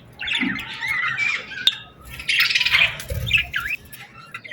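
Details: At sunset on a summer evening, birds give squawky chatter and high chirps in two main bursts, with a sharp click, a few rising whistled notes near the end, and a brief low thump.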